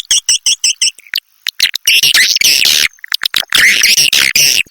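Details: Swiftlet lure sound of the SP Raja Ampera style, meant to attract swiftlets: five quick evenly spaced high chirps, a short pause, then loud harsh chattering twitters in bursts broken by clicks.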